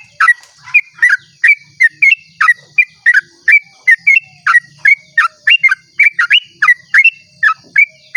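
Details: Sooty-headed bulbul in long rapid dawn song, played to lure other bulbuls into singing; a steady run of short, loud, upslurred whistles, almost three per second, clear over a quiet background.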